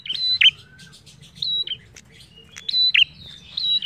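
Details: Prinia (prenjak) in lively, full song used as a lure to prompt other birds to sing: high whistled phrases, each a flat note followed by a sharp downward flick, repeated about every 1.3 seconds. There is a faint low hum beneath.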